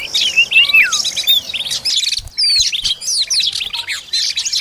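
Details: While feeding its chicks, an Oriental magpie-robin gives sharp, rising and falling whistled notes mixed with busy high twittering, briefly pausing near the midpoint before the chatter resumes.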